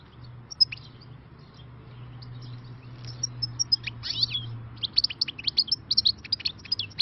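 A European goldfinch sings a bright, tinkling twitter. Scattered high notes build into a rapid run of liquid chirps over a faint low hum.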